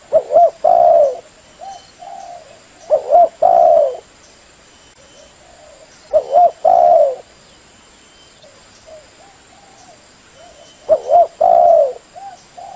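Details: Decoy spotted dove calling as a trapping lure: low, hollow cooing phrases, each a quick double note followed by a longer drawn coo, repeated about every four seconds with soft murmurs between.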